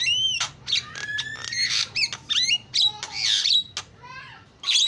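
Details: Starling giving a lure song of mixed whistles, a long flat whistled note, rapid chattering and raspy bursts, ending with a series of short downslurred notes.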